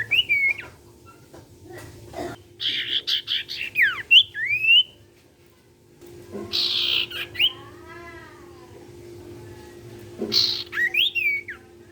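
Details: Sirtu song meant to set other sirtu birds singing: varied phrases of sharp whistles, rising and falling slurs, harsh buzzy bursts and a wavering chatter, broken by a brief quiet stretch, with a constant low hum.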